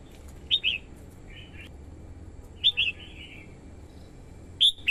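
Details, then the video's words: Red-whiskered bulbul female stirring males and luring wild birds: short whistled couplets and triplets, bright and liquid, separated by softer lower warbles. A final louder two-note phrase ends the clip. "TIẾNG CHIM CHÀO MÀO YẾU LỬA HÓT KÍCH BỔI MỞ MỎ HÓT SỔ CĂNG LỬA"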